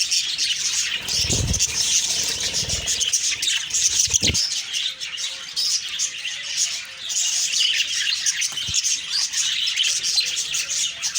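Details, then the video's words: Budgerigars chattering in the morning, continuous high twittering from many birds, interrupted by low rustling thumps early on and a couple of sharp knocks. "Beautiful morning birds chirping sounds/Budgie sounds"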